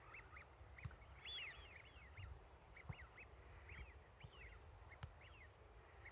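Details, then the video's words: Several ducks (owner thinks they are ducks, species unknown) on a lake or lagoon on a fine day give short, arched, nasal "piyu-piyu" calls in loose overlapping bursts every half second or so, over a steady low rumble of wind and water. "鴨 鳴き声"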